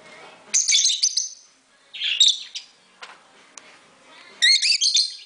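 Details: Lovebirds, flying freely indoors in a house together with budgies, give sharp, high, chattering chirps in quick bursts with pauses between.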